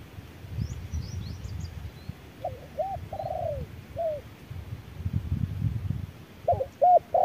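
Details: Spotted dove answering an electronic decoy in the harsh midday heat. A faint high chittering from another bird opens, then a short phrase of hooked coos. After a quiet stretch, louder coos return at the close.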